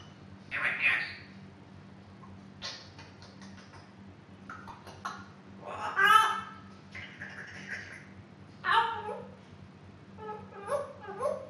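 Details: Indoor female African grey parrot, nearly two years old, that loves to talk: scattered mimicked sounds, speech-like bursts, clicks and short whistled notes, spaced a few seconds apart over a faint background hum.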